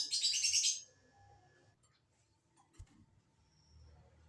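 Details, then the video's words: Lovebird prompting sound used to make caged birds respond: one rapid, buzzy, high chattering burst under a second long, then only low room noise and a faint tap. "Pancingan Lovebird agar BUNYI, Lakbet malas pun akan NYAUT"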